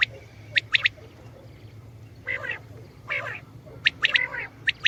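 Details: Calling common quail: crisp, high clicks in twos and threes alternate with two longer, rough, muffled bursts, against a steady low hum.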